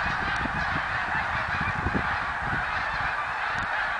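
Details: Snow geese calling together in 2014: a thick, even chorus of nasal honks, with occasional lower bumps and a slightly louder note near two seconds.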